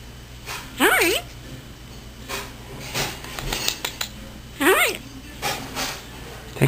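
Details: Captive African grey parrot, a pet female vocalizing indoors at home for the camera; two loud swooping whistled calls with zigzag rising and falling pitch, about four seconds apart, amid room noise and soft household sounds.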